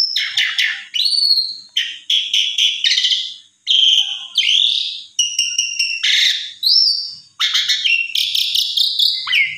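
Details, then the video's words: Asian pied starling song used as a lure to make another bird sing: strong harsh bursts alternating with rising and falling whistles, delivered almost without pause. "Jalak Suren Macet !! Coba Pancing Dengan Jalak Suren Ini !! Respon Ngotot Gacor Isian Komplit"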